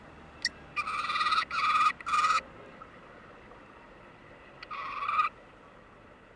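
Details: Common Kestrel nesting in a flowerpot on a Seoul apartment veranda, female incubating six eggs: three drawn-out, whining, wavering calls, then one more after a pause, possibly the female signalling the food-bringing male; faint hum.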